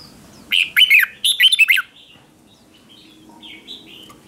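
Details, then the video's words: Red-whiskered bulbul decoy song used to lure other bulbuls, competition-style singing: two quick bursts of slurred, warbling notes dipping and rising, then quiet with faint distant chirps. "Tiếng chào mào mồi gọi là đến, Chào mào mồi gọi bổi không tạp âm"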